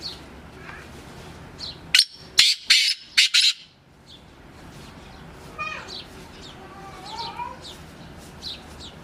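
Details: Black francolin (kala teetar) calling in masti, its excited breeding mood. A tight run of four loud, rasping, grating notes is followed by a pause, with faint chirps of other small birds and a low background hum.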